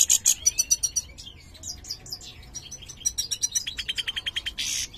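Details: Mutated European goldfinch, major form, singing, with a song said to be poor: quick high staccato notes, a stretch of loose scratchy warbling, then a fast, regular trill and a brief buzzy ending.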